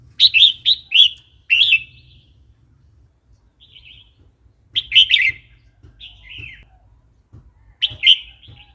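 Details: Red-whiskered bulbul wild-style song used to train young and newly caught birds: three bursts of bright, gurgling whistled phrases, the first of four quick notes, with softer notes between and faint low rumble beneath.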